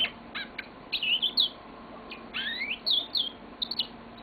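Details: Yellow-fronted canary kept as a pet, singing a lengthy song: high chirped notes then looping whistled slurs and quick trills in short bursts, steady faint hum of a room behind.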